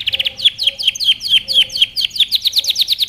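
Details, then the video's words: Canary training song: steady series of bright down-slurred whistled notes repeated about five per second, with faint lower chirps beneath. "beautiful birds singing - canary training song"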